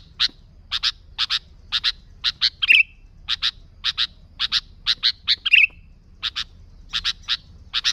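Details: Sooty-headed bulbul in active voice, used to lure wild bulbuls: steady pairs of harsh chips, twice interrupted by a short buzzy squawk.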